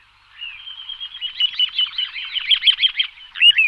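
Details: Little ringed plover (Charadrius dubius) decoy call: a thin, high piping run of rapid trilled notes, rising to a sharper burst near the end; nothing else heard.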